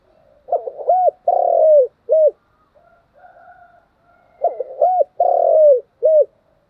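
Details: Spotted dove giving continuous thúc gù cooing: two phrases, each of stuttering short notes, a long drawn coo sliding down, then a short closing coo, with faint soft cooing between.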